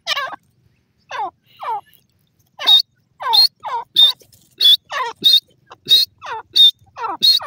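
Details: Grey francolin calling; loud, harsh notes sweep downward, each paired with a shrill, high squeal. After a few scattered opening notes they repeat in a steady, rapid rhythm, over silence.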